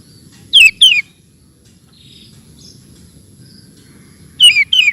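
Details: Sooty-headed bulbul (kutilang) singing, used as master audio for training cage birds: pairs of loud, downslurred whistled notes at the start and end, separated by near silence with faint distant chirps.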